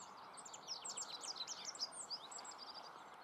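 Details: Rock bunting from the Moselle valley in Germany, a dense burst of quick, high, scratchy-sweet notes tumbling together for about two seconds, then trailing off, against a strong even rushing background.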